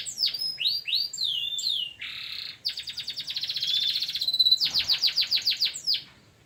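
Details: Local canary masteran song: sweeping whistles, a coarse buzzy burst, a long accelerating rolling trill, and a crisp series of staccato downswept notes to finish.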